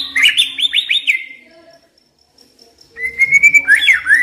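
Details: A young wild white-rumped shama gives a rapid string of bright rolling whistles, falls silent for about a second and a half, then resumes with a long thin whistle and lively warbled notes; a lure for stressed birds.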